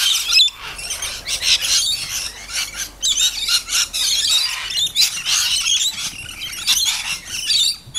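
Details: Excited rainbow lorikeets at Wild River Caravan Park, Herberton: a dense, continuous chorus of shrill squawks and screeches from several birds, rapid and overlapping with no quiet breaks.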